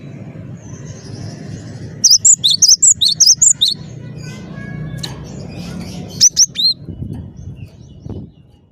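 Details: A cinereous tit sings lustily with a quick burst of about eight high, sharp whistled notes, then silence with faint background noise, followed by a short second burst of three ringing notes.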